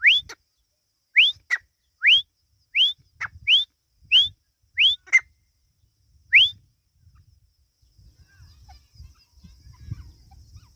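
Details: Partridge chicks giving clear, rising whistled peeps, sharp upslurred notes repeated about nine times over six seconds at uneven short intervals, then falling quiet with only a faint low rumble in the background.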